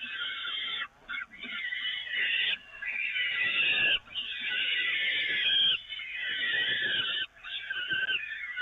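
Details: Grating-side feeding at the Evoluon peregrine falcon nest, 13 May 2018: rasping, wailing calls stretched over several seconds at a time, with brief gaps around one, four and seven seconds.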